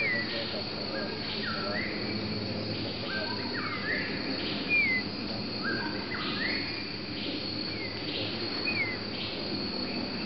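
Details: A Grey-cheeked bulbul at Fraser's Hill, Malaysia, calls with short, sharp down-slurred notes every second or so, some overlapping, over a steady high insect drone.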